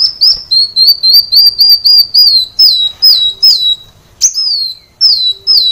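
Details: Caged-bird training song from a sunbird: a fast string of high, rapidly repeated whistled notes, then slower falling whistles broken by a sharp upward-flicked note.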